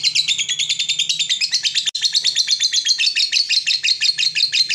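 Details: Lovebird chattering in the long 'ngekek' style, a lure to make other lovebirds chatter: shrill rapid-fire notes run together in an unbroken trill, with a brief click partway and a faint low hum behind.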